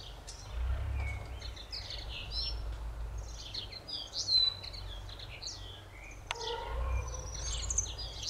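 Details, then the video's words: Singing common linnet, nominate subspecies: a long, rambling twitter of short chirps, trills and a few buzzy notes, broken by a sudden sharp knock, with steady low-pitched background rumble throughout. "Bluthänfling singend"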